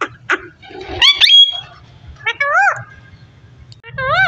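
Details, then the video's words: Parrot talking indoors: jumbled speech-like syllables and a thin whistle early on, then two rising-and-falling nasal harmonic calls later, with one more starting at the end. "So sweet parrot talking"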